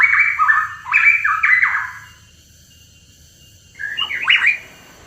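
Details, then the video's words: A hooded pitohui sings a quick series of stepped, downward-slurred whistles, falls silent for two seconds, then adds a short rising whistled phrase. "PANCINGAN PITOHUI KEPALA HITAM"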